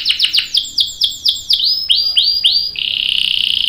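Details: Song of a canary, a long roll for prompting other birds to sing: fast falling whistled notes that slow into rounded sweeps before breaking into a steady buzzing trill.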